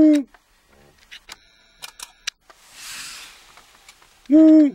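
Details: Long-eared owl at night, 03:40 on 25 April 2014 at Aquileia, Italy, heard during a 24-hour birdwatch. Two short, deep, hollow hoots come about four seconds apart. Between them are soft clicks, faint tones and a brief rushing hiss.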